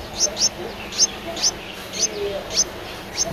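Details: Eleven-day-old Streak-eared Bulbul nestling recorded on 13 April 2023 in Ubon Ratchathani, Thailand. Thin, high-pitched chirps repeat about twice a second in quick, uneven pairs and singles against a quiet, steady background hiss.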